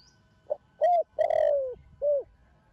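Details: Spotted dove, a young bird descended from the Thổ Sấm line, cooing in the Thổ Đồng style to stimulate other doves. A single phrase: a faint pickup, a clear coo, a drawn-out falling coo and a short closing note.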